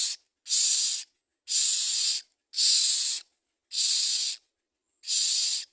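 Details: Common mynas feeding young: six loud, rasping hiss bursts, each under a second, spaced by short silent gaps at a steady, slightly uneven pace. No other sounds are clear.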